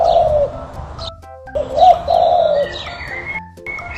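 A dove gives two low, soft, drawn-out coos, the second longer, with thin chirps from other birds and background music.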